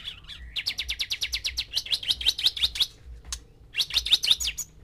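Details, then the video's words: Male white-rumped shama singing with six females present, the song meant to stir them into mating; rapid run of bright high chirps and trills, broken by a short pause, then a renewed burst, with a faint low thumping underneath. "MANCING BIRAHI 6 MURAI BATU BETINA DENGAN 1 JANTAN"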